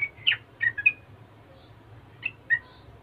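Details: Yellow-vented bulbul, a lively, chattering bird that draws other bulbuls into answering. It gives short, sharp chirped notes in two brief bursts with a pause between, over a low steady hum.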